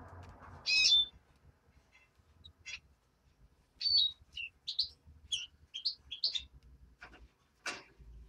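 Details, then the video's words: European greenfinch chick, reared by hand, giving a loud sharp chirp, then a series of quick high tweets, roughly every second, over faint background rumble. "Зеленушка. Ручной птенец"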